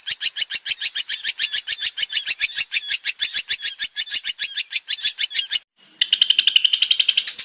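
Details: Male long-tailed shrike singing vigorously: a long train of rapid, scratchy repeated notes, then a short gap and a denser, more tangled burst of chattering.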